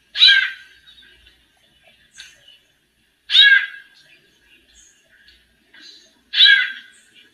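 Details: Female white-necked thrush warming up and singing like a male: three loud, rasping, descending bursts about three seconds apart, each followed by soft short notes.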